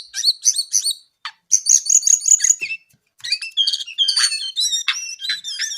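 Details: Brown-eared bulbul delivering rapid repeated chirps and a sustained buzzy trill, then after a short gap a lively sequence of sharp, varied whistled notes and upslurs.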